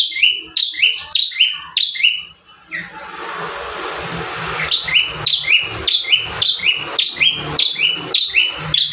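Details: Singing bar-winged prinia, recorded as a master for caged birds, repeats high down-slurred buzzy double notes at a steady pace of about two per second; a stretch of rushing hiss breaks the series midway before the notes resume.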